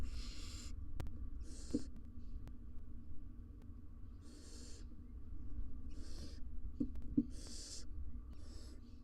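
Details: Wild barn owl family of two adults and three nestlings inside a nest box, on a live cam; harsh broadband hissing bursts come every one to two seconds over a low steady hum.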